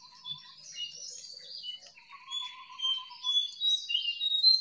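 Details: Wild jongkangan, a lure to make silent captive birds sing: a stream of high, scratchy twittering phrases swelling in volume, with a steady buzzing insect trill partway through.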